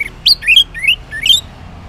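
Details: Orange-headed thrush singing in the morning in the continuous ngeplong style, used as a lure so silent males answer: four loud, clear whistled phrases, each sliding upward or looping, given in quick succession over less than two seconds.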